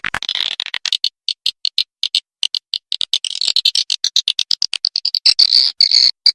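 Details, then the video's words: Swiftlet call recording used to lure swiftlets to roost, with quick, high, dry chirps in bursts of several per second that speed up into a continuous twittering chatter and no other sounds. "Sedot Burung Walet| Swiftlet Voice"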